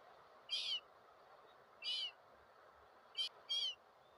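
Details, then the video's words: Gulls calling: four short, harsh, harmonic-rich squeals, each about a quarter second, spaced irregularly over a few seconds against a steady broadband background hiss. "seagulls 🪶mouettes 🪶gaviotas"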